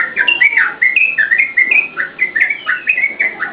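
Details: Lively yellow-vented bulbul song, recorded as a tutor and lure for cage birds: a steady chain of bright, slurred whistles, each note dipping or rising, delivered about three or four per second without pause.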